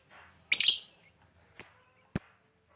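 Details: Calls of a lovebird, used for luring the birds: one loud, scratchy double chirp followed by two short, clear, high-pitched peeps about half a second apart, against silence.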